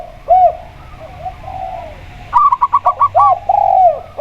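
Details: Local zebra dove with a clear, open voice, paired against a steady spotted dove. Soft arched coos open the recording, then a quick burst of about seven staccato notes. Slower, rounded coos follow and continue to the end.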